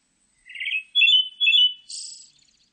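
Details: Pale thrush song phrase: a short burry trilled note, then two loud sustained whistles, finishing with a breathy, buzzy high note.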